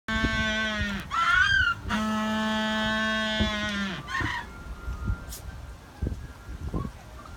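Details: Penguin at Misaki Park in Japan, a rare occasion, giving loud, drawn-out braying calls: harsh harmonic blasts lasting about a second each, one rising and wavering, followed by a quieter fading tail and a few soft knocks.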